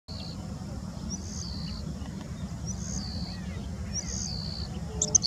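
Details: Bengal bush lark (Mirafra assamica) singing thin, high slurred notes that mimic the calls of a citrine wagtail.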